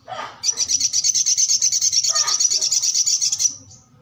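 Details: Brown-throated sunbird singing vigorously: a high, thin, rapidly pulsed trill of about eight notes per second, steady for three seconds after a brief lower chirp, then stopping abruptly.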